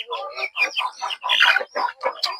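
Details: Farm chickens heard at seven in the morning; a loud run of harsh, squawking clucks and cackles in quick bursts roughly every quarter second, several birds overlapping.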